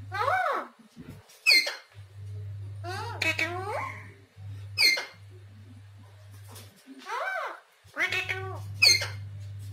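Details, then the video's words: Parrot talking in a high, voice-like tone: several short phrases with clear harmonic bands and rising and falling pitch, separated by pauses, over a steady low electrical hum. "parrot voice talking"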